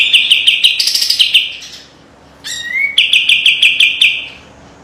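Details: White-eye song kept as a training master: two bouts of fast, sharp repeated notes, the second opened by a rising slurred whistle, with a quiet gap between.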